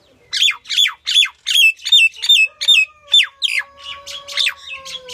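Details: Loud, clear series of about thirteen harsh, nasal squawks from a female common myna, spaced roughly every third of a second, set against a quiet background with a faint steady tone.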